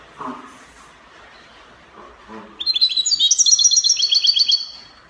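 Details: European goldfinch, Spanish copia song style from Morocco, opens with faint soft chirps then launches into a two-second rattle of rapid, high, silvery twittered notes that rise and fall.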